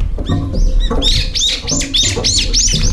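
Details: Several brown-eared bulbuls crowding a nearly empty feeder, jostling and fighting for food: a rapid series of loud shrill arched squeals repeated over and over, over a strong low rumbling background.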